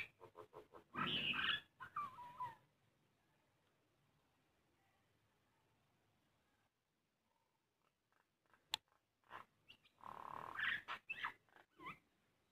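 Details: A common myna that visits a house window daily and mimics voices gives bursts of harsh, gurgling and whistled notes, with chattering clicks between two loud phrases and a quiet gap in the middle.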